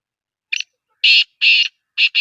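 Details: Black francolin calling in Sindh, Pakistan: a brief soft harsh note, then loud grating bursts, each about a quarter second long, in a rough quick series against silence.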